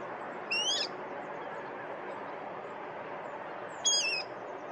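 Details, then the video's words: A water rail in the Binnenveld gives two brief, harsh screeching calls about three seconds apart, over a steady rushing background hiss. "Geluid van een waterral / Sound of a water rail"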